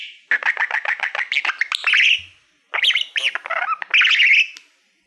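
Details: Male pet budgerigar singing to a reflective award plaque he treats as a mirror, indoors: a quick run of evenly spaced ticks building into a buzzy warble, a pause, then more chattering and squeaky notes.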